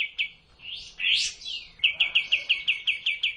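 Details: Sooty-headed bulbul on a tutor recording meant for cage birds: soft slurred whistles, one stronger up-and-down phrase, then about ten crisp high chips repeated evenly.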